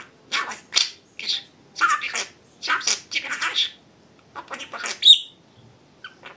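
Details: Pet budgerigar speaking in a string of short, scratchy, high-pitched syllable groups, each about half a second, with a sharp squeak near the end.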